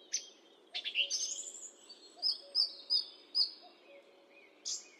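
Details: Song thrush song: a buzzy opening phrase, then one clear high whistled note repeated four times about every half second, ending in a separate sharp high flourish.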